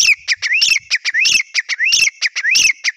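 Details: Loud, continuous grey francolin (teetar) calling, with rapid rising whistled notes repeated in quick succession, closely overlapping and high-pitched.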